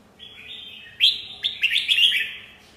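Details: Red-whiskered bulbul singing, a clear sustained whistled note followed by bright, rising and falling warbled phrases in a short lively burst.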